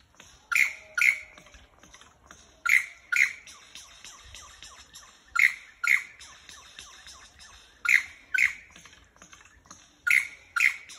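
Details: A lyrebird in Dandenong, Australia repeats loud, harsh, clipped notes in pairs about half a second apart, each pair returning every two to three seconds, over quiet background chatter.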